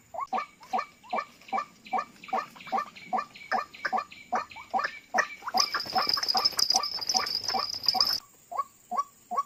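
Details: White-breasted waterhen (ruak-ruak) calls, used as playback in bird trapping that drew in two birds within seconds; steady series of short, harsh, rising notes about two per second, with a shrill electronic-sounding tone partway through.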